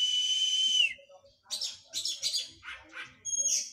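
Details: Oriental magpie-robin in post-moult training starts with a long, level whistle that drops at its end, then follows with several harsh, buzzy chattering bursts and a brief high note.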